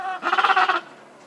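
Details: Hungry Gentoo penguin chick begging for food at Brown Station, Paradise Bay: one harsh, rapidly pulsed, bleating trill lasting about half a second, rich in harmonics, then quiet background.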